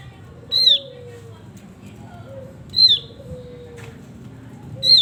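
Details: Male Javan grey-throated white-eye in full lively song gives sharp downslurred whistles about every two seconds over a soft low background hum, with a quieter, lower drawn-out whistle between them.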